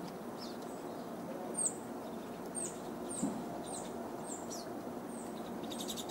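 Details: Pine Siskins feed on sunflower hearts from a person on a deck in the Great Smoky Mountains during the 2020 irruption; they give about six thin, very high, short calls, roughly a second apart, over a steady rush.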